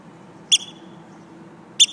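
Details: A Eurasian oystercatcher feigning injury to lure the observer away from its nest gives two loud, sharp piping notes about a second apart over a quiet background.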